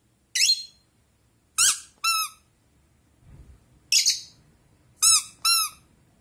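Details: A blue rosy-faced lovebird gives shrill, ringing chirps in quick pairs, answering every time in a back-and-forth with harsher, raspier squeaks from a toy duck in a quiet room.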